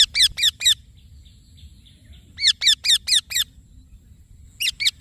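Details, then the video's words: Rose-ringed (Indian ringneck) parakeet giving harsh, high screeching notes, each dropping in pitch, in quick bursts of four or five over a low rumble of background noise. "Green Parrot Chirping Sounds / Voice"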